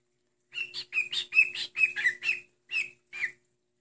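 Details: Chirping from a pet cockatiel kept indoors: a lively series of about nine high, two-part chirps, each sliding upward, delivered quickly in an uneven rhythm before trailing off.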